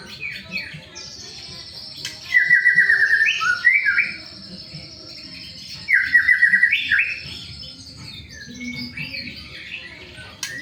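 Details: White-rumped shama singing, kept to prompt other shamas to sing: two loud bursts of rapid repeated chirping notes around four seconds apart, with a long steady high whistle running behind and softer scattered notes between.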